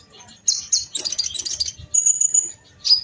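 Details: Kolibri ninja sunbird from Indonesia in a fighting duel: a short high trill gives way to a dense scratchy chatter, then a thin, even high-pitched trill and a final sharp chirp.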